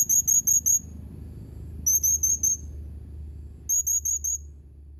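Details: Blue-crowned hanging parrot, dated 31 March 2021: repeated series of four sharp, very high-pitched chirping notes, each series roughly two seconds apart, over a steady low background hum.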